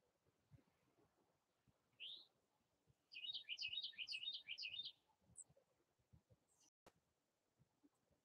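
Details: Wild bird at a feeder in North Carolina: a single high chirp, then a quick run of about eight high up-and-down twittered notes over a second, with a few faint chips afterward and soft background rustle.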